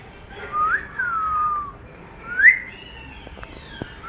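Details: Talking Indian ringneck parrot kept as a pet, heard during rain: a long wavering whistle that drifts down, then a quick upward-swept whistle after a pause, with small clicks at the end.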